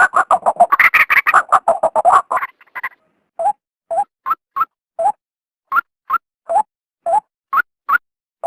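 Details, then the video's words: Female white-breasted waterhen calling, used by trappers to lure the male out of its habitat: a rapid burst of harsh, croaking notes, then spaced clucking notes alternating between a lower and a higher pitch, roughly two per second. "suara burung ruak betina"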